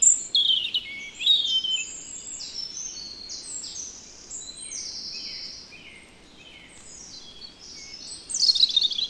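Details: European robin in the Netherlands sings a rich sequence of high, pure whistles, some held and others sliding, mixed with sharp tinkling notes and rapid flourishes at the start and end.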